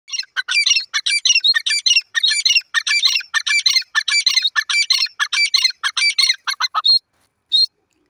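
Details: Wild grey francolin, known locally as jungli teetar, calling in open jungle. It gives a loud, harsh, strident phrase repeated rapidly for about seven seconds, then falls silent, with one last short note after a pause.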